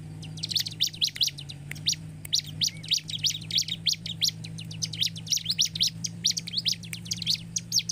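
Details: Lure recording of a bar-winged prinia, meant to provoke singing: continuous rapid high chirping in tight clusters across the whole stretch, with a constant low electrical-sounding hum beneath.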